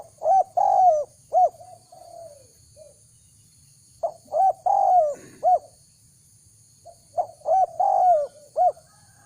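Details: Spotted dove; call; luring wild doves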